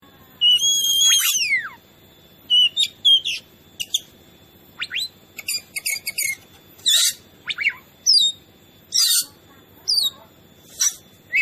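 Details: Oriental magpie-robin singing actively, used to provoke other birds into agitation: a loud harsh rasping burst, then sharp whistled notes and short buzzy phrases spaced about a second apart.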